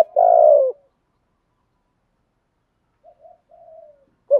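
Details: Decoy spotted dove trained to coo daily to stimulate other doves: one long burry coo falling at its close, then quiet, a few soft distant coos, and the start of another phrase.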